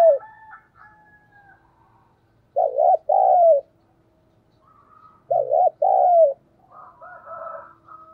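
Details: Spotted dove kept as a lure, cooing to provoke other doves; paired loud, rolling low coos repeated twice about three seconds apart, with softer trailing notes between.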